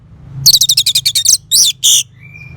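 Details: Orange-headed thrush delivering a fast, high, rattling trill of about ten evenly spaced notes, followed by two longer, harsh, high notes.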